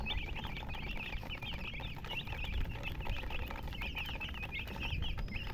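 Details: Chicken producing a long run of rapid, bright chirps, each a short wavy peep, repeated several times per second over a persistent low background rumble.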